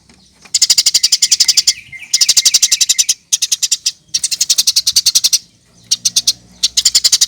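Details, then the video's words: Eurasian tree sparrow lure to set birds singing: dense, rattling trains of very rapid high chirps lasting about a second each, broken by brief silences, with a low hum near the end. "Kompilasi Masteran Burung Gereja Gacor"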